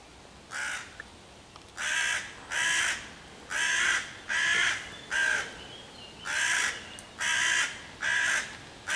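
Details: Hooded crow cawing loudly on 11 June 2023 as it harasses five young raccoons waiting in a tree near their hollow, trying to drive the predators off and calling other crows to attack; harsh, hoarse caws in pairs and threes, about nine in nine seconds.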